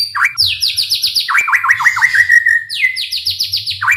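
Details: Provoking song of a white-rumped shama: rapid series of sharp downslurred notes, first high then lower, merging into a sustained whistle before another high burst, over a faint low hum.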